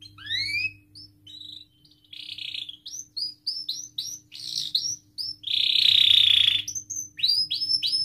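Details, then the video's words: Canary in long, full song, meant to prompt young learning canaries and silent ones to sing. Varied whistled upsweeps and falling notes run in quick succession, then a loud harsh buzzy stretch, then more rapid sweeps. A faint hum underneath. "kenari gacor panjang Cuit Cuit EMOSI, Pancingan Kenari Paud Belajar Bunyi"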